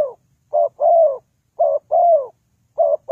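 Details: Spotted dove used as trapping lure, calling in a short burst: about two and a half paired phrases, a clipped coo then a long, gently falling coo, clear and close.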